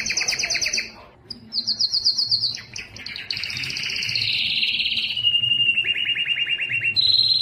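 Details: Belgian canary singing its loudest song to attract females for breeding: varied rapid trilled phrases of fast repeated notes and sliding tones, with a brief pause near the start, then continuous rolling trills and buzzy runs to the end.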